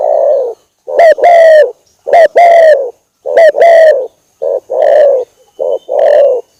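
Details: Vigorous, long-running lure call of a spotted dove: clear paired coos, then a run of duller, breathy coos of similar pitch, repeating about once a second.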